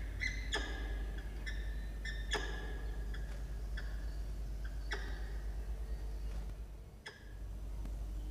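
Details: Peregrine falcon male at a campus nest box in Orange, NSW, Australia, requesting his egg-incubation turn from the female, October 2021: sharp, clipped harmonic calls repeated irregularly about every half second to second over steady low hum.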